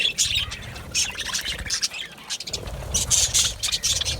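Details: Aviary colony of Australian budgerigars giving a steady chorus of shrill chirps, squeaks and warbling chatter, loud bursts coming in quick succession, with some low rumbling noise in the background.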